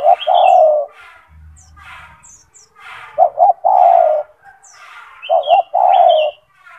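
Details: Loud, persistent singing spotted dove kept as a tutor for other doves. Hollow coo phrases of two short notes and one long note recur, with soft hissing, a short low buzz and scattered high chirps of small birds.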